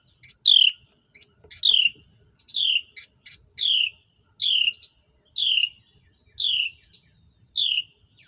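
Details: Hatchlings being fed by their mother, calling in a repeated series: high, sharp, downslurred chirps about once a second, each with a brief fainter note between, in a quiet setting.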